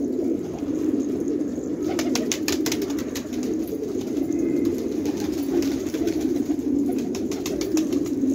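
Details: Flock of fighting tumbler pigeons in a village in Khanabad, Afghanistan, cooing continuously in a dense low rumbling chorus, broken by bursts of sharp clicking taps around the middle.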